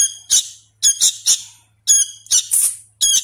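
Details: Hand-raised sooty-headed bulbul chick calling for food with a few harsh, drawn-out rasping squawks, some doubled, separated by short pauses.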